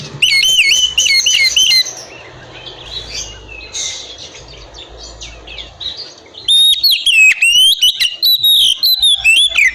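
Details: Oriental magpie-robin singing loud, varied whistled phrases with sweeping and trilled notes in bursts, then a quieter stretch of soft warbling, before strong whistled song returns; meant to provoke other magpie-robins into answering.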